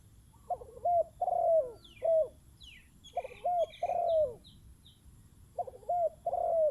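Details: Spotted dove decoy cooing outdoors: low, mellow, downward-curving coos given in tight runs of three or four, with short pauses between runs and thin high chirps behind.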